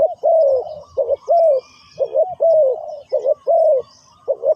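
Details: Spotted dove acting as decoy to call wild doves: strong mellow coos, short double notes leading into long falling notes, phrases repeated with short gaps, faint high chirps behind.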